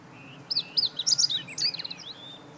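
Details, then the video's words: Meadow bunting song on 20 March 2015: a lively phrase of high whistled and chipping notes, rising and falling quickly, closing with a descending trill-like flourish, all in about two seconds. "囀るホオジロ hoojiro - Meadow Bunting"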